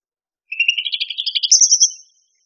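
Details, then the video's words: Cucak rante singing: a rapid series of about a dozen pulsed chattering notes climbing gradually in pitch, then a higher, brighter trill at the end, clear and free of background sounds. "SUARA BURUNG CUCAK RANTE- CUCAK RANTING"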